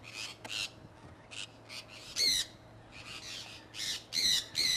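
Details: Conures from a kept flock, flying out in Iowa in early spring 2003, call in quick, scattered bursts. Short rasping squawks vary from faint to loud, and the loudest come near the middle and the end.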